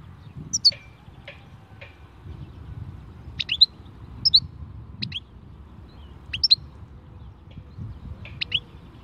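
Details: European goldfinch, khalwi song style, giving brief high chirped double notes at irregular intervals of one to two seconds, separated by quiet gaps with a soft low background noise.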